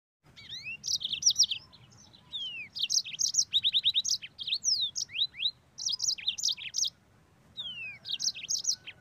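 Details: Yellow-fronted canary, a caged songbird singing lively, continuous rolling song: rapid trilled series of high notes, sharp downslurred whistles and buzzy phrases in bursts of two to three seconds with short pauses between.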